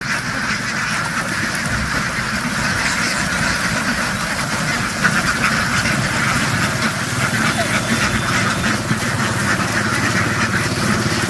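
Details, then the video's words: Farm ducks running into water and back ashore in a field, a large flock making a loud, dense, continuous din of overlapping quacks with no pauses throughout. "The ducks ran happily into the water and quickly jumped ashore, making a loud noise in the field."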